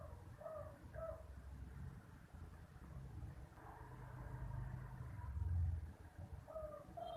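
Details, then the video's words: Spotted dove (derkuku) in the 'kuk 2' call style: a few low, mellow coo notes at the start, then a pause, then a short coo phrase near the end, over a constant low rumble like traffic. "DERKUKU KUK 2 || HASIL NGOMBYOK DERKUKU KUK 2 || Unique Sound Of SPOTTED DOVE"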